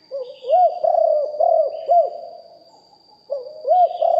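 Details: Deep-voiced spotted dove decoy bird, recorded live, delivering two phrases of mellow low cooing, each a few bowed notes rolled rapidly together, separated by a short pause; a faint steady high-pitched hum runs throughout.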